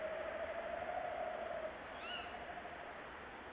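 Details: Tawny owls, a male on a branch and a female in a nest box, recorded 22 February 2018 around 06:43: a wavering low hoot lasting over a second, then one short rising-falling higher call, over steady broadband hiss.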